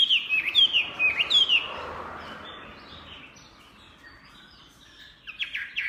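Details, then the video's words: Energetic song of a Chinese hwamei: a quick string of clear, descending whistled notes, then near quiet, ending with a few scratchy, faster notes. "SUPER GACOR MANTAP SUARA KICAUANYA//Burung Hwamei"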